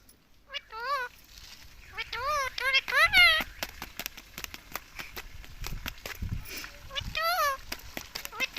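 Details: Pet rose-ringed parakeet saying a word over and over without stopping, in clipped nasal two- and three-syllable phrases, with scattered clicks and low thumps in the background.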